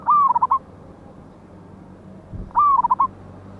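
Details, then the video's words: Wild local zebra dove with a loud voice, used to lure birds for trapping, 11/8/24: two matching cooing phrases about two and a half seconds apart, each a long wavering note followed by short rhythmic coos. "PANCINGAN BURUNG PERKUTUT LOKAL ALAM SUARA BESAR"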